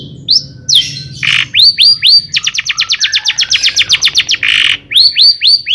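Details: Long-tailed shrike in loud song, played to get other shrikes singing: rising slurred whistles, then a rapid even series of about twenty sharp ticking notes, a rasp, and more upswept whistles.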